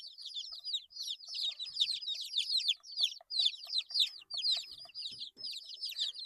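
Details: Eight-day-old chicks peep loudly and steadily, overlapping high, slurred notes forming a busy chorus, with faint tapping sounds underneath.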